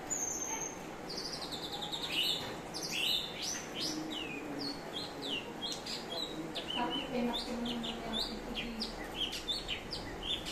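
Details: Grey-cheeked bulbul (cucak cungkok), a bird known for varied songs and mimicry of other birds, giving a long rambling run of clear whistled notes, many sharply rising or falling, in quick irregular succession over low background noise.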